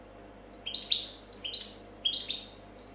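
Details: European goldfinch, a 2014 competition champion, sings three quick clusters of bright, descending chirps, each a tumbling group of high notes about half a second long, in copia style.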